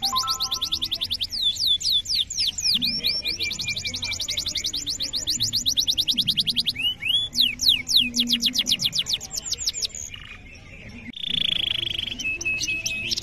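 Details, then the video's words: Canary in full continuous song, used as a training model for juvenile canaries and ones that have stopped singing: fast rolling trills of rising-falling notes alternate with looping downward slurs and a short sustained whistle. "Masteran Kenari GACOR Durasi Panjang‼️ COCOK untuk Pancingan Kenari PAUD dan Kenari MACET BUNYI"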